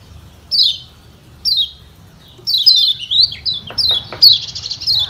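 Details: Lemon-bellied white-eye (Lombok yellow white-eye), used as a lure call for other white-eyes: thin, high, down-slurred 'ciak' chirps, single at first, then in quick bursts, over a faint low hum.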